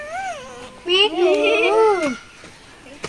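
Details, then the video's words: Pet Indian ringneck parrot talking: drawn-out, wavering, voice-like syllables that rise and fall, loudest in the middle, with music and room noise behind. "Kotha Bola tia pakhi Talking about parrot funny"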